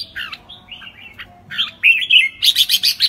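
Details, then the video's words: Red-whiskered bulbul sings in the "ché" song style: a lively run of bright, slurred whistles and chattering notes, ending in a fast series of rich, rolling phrases. "Chào mào hót ché"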